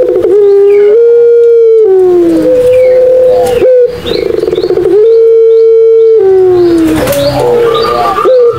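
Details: Barbary dove singing the Madura pelung coo, meant to coax non-calling doves into voice: two long level drawn-out coos, each over a second and closing with a downward slide, separated by rough throaty rolling notes.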